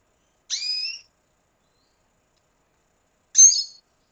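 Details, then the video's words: Red siskin from Venezuela utters two separate high, drawn-out whistled calls with a slight upward slur, nearly three seconds apart in silence. "Canto Cardenalito Venezuela"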